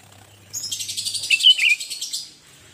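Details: Sooty-headed bulbul singing vigorously, a recording meant to set other bulbuls calling: a dense, high, bubbling chatter of quick notes lasting under two seconds, with a faint low hum beforehand.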